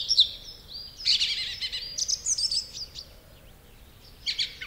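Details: Song thrush song with repetition of notes and phrases in a full-whistled, strident tone. Sharp high notes open the clip, a dense phrase follows, short repeated notes come next, then a pause before a final bright phrase.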